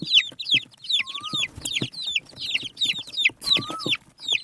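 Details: Native chicken chicks pecking at rice produce rapid, closely packed high peeps, about two or three per second, plus a couple of longer lower whistles and pecking clicks.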